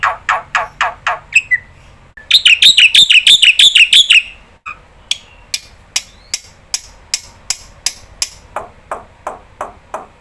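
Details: Lure call of an actively calling black-winged starling, meant to prompt other starlings to answer: quick ticking notes, then a loud two-second volley of harsh, downslurred chirps, followed by more evenly spaced ticks.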